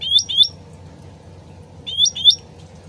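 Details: Sooty-headed bulbul, lure recording with trickling water: two pairs of quick, bright upslurred whistles about 1.7 seconds apart over a soft continuous water background.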